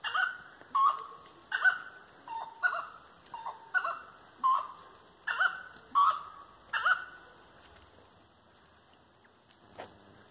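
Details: Dusk song of a Grey-necked wood rail at 18:30 on 25 March 2022, given firmly while walking along lanes. About ten loud, nasal, pumping notes are evenly spaced under a second apart, then stop, leaving quiet.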